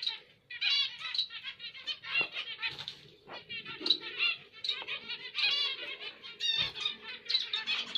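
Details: Zebra finches give bursts of buzzy, nasal notes with sharp clicks between phrases and a faint steady tone behind them.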